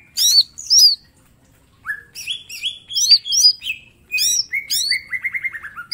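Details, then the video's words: Vigorous mini green leafbird master song full of sharp bursts: two high hooked chirps, a pause, then rising whistles and curled notes ending in a fast descending stutter of short slurs. "Cucak ijo mini gacor full tembakan bongkar materi"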